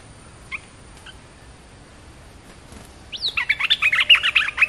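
A red-whiskered bulbul: two faint notes, then a loud burst of fast, bubbly, warbling phrases, about four notes a second, rising and falling.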